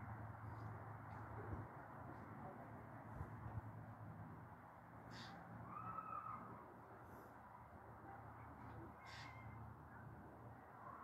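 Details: Eurasian jay calling from a fir tree on a street in Meschede, Germany, on 22 September 2022; a few harsh, rasping bursts stand out, one near five seconds and another near nine, over a steady low rumble of background noise.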